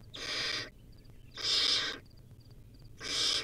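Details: A wild baby barn owl feeds on a rodent while giving three harsh, noisy hisses, each about half a second long, separated by quiet pauses holding faint high double pips.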